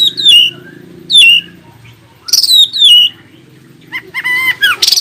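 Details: Oriental magpie-robin singing to provoke other magpie-robins into answering: clear, high whistled notes falling steeply in pitch, repeated about once a second, then a harsher, buzzy, chattering phrase at the end.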